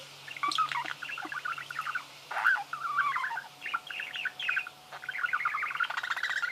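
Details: Several budgerigars chattering together in dense overlapping warbles, squeaks and clicking notes throughout.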